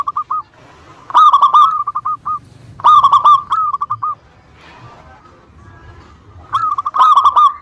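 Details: Local zebra dove in full song, used as a lure to draw replies from rival birds: three phrases of fast, stuttering coo notes, each starting loud and trailing into evenly spaced softer notes.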